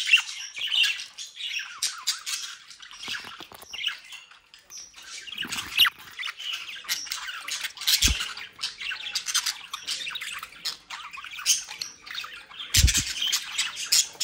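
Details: Several captive budgerigars bred in the Den Haag area of the Netherlands give continuous busy chatter, harsh squawks and chirps. Occasional low thumps come from the cage or room.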